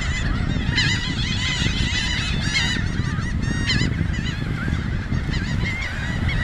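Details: A feeding flock of laughing gulls on a beach in Cape May County, southern New Jersey, with a ring-billed gull present, gives overlapping nasal, yelping calls nonstop over a steady low rumble of wind or surf.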